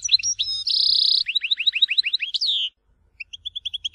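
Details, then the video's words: European goldfinch singing the Tizi Ouzou song style of Algeria: twittering high notes, then a steady buzzy trill, then about eight quick down-slurred chirps and a rising flourish, ending with a row of short, evenly spaced pips. "تغريد حسون تيزي وزو (كامل المقامات)"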